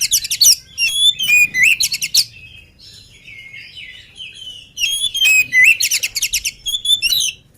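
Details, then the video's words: Oriental magpie-robin singing vigorously before feeding. Two loud bursts of rapid rattling chirps and swooping whistles are separated by a quieter passage of soft warbled whistles. "KACER GIRAS/GESIT BELUM MAKAN VOUR GACOR"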